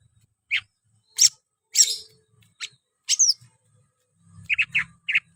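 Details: Energetic singing from a greater green leafbird: a sharp whistle, loud noisy bursts and a descending slur, then a quick cluster of clipped whistled notes over low rumbling knocks.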